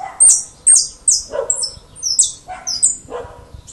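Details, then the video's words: European goldfinch singing to teach other birds gives quick bursts of high, tinkling, twittery notes with brief buzzy slurs, about one phrase every half second. "Jilguero el mecánico arrancando"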